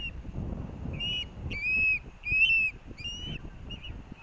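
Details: Hellgate osprey nest, University of Montana, Missoula, 18 August 2024: a chick clamours for fish as parents arrive. Loud piercing whistles, several drawn out and slightly rising, repeat about every half second above soft low background noise.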